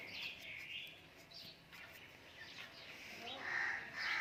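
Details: A pet Ringneck parrot gives harsh, raspy screeches in quick bursts, about two per second, loudest near the end, over faint room noise.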